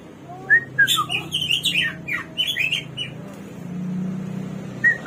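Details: Hwamei, known locally as samyong or garuwa and praised as a bird of 1001 voices, singing a varied run of loud whistled and slurred phrases, some rising and some falling, over a steady low hum.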